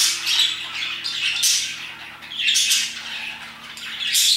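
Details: Parakeets singing their hearts out around 2pm, giving loud scratchy squawks that swell in three or four bursts, with softer chattering between them.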